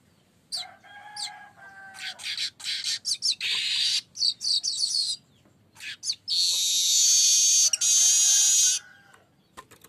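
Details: Streaked weaver (manyar kembang) singing actively as a lure call: a few rising chirps, then bursts of harsh buzzy chatter, ending in a long sizzling, hissing wheeze with a thin whistled thread.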